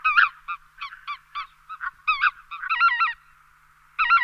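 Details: Lesser white-fronted goose, a small goose named for its in-flight squeak: a series of shrill, nasal, yelping notes with wavering pitch, some single, some doubled, then a pause and a final burst.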